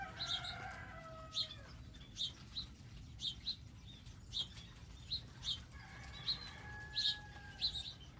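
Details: At a garden feeding area with seeds and water, wild birds give quick bright chirps, some doubled, roughly every half second, over a steady droning tone at the start and near the end.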